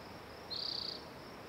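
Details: One spotted towhee trill: a dry, rapid, high buzz of about half a second, evenly pulsed, over a steady high hiss.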